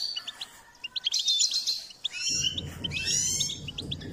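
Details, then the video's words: Goldfinch song during a singing-training session: fast tinkling chirps and brief trills in quick succession, with low rumbling noise joining after two seconds. "Step by step enhancing the goldfinch’s singing"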